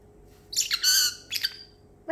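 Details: Excited pet parrotlet chatters indoors after eating treats and almonds, giving a quick run of shrill, high twittering notes and then a brief squeaky chirp as a woman begins to speak.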